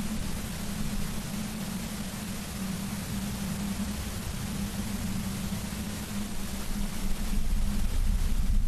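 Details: Steady hiss over a low mechanical hum that grows slightly louder near the end, with no animal voices.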